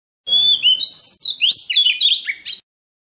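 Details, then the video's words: Oriental magpie-robin singing a wild forest-voice song to encourage young and wild-caught birds to sing: over two seconds of sustained whistles breaking into a varied chatter of slurred notes, ending with a short upward flick. "Luyện giọng chim non kích chim bổi hót mỗi ngày với giọng rừng cực chuẩn | Kích Choè Than Hót"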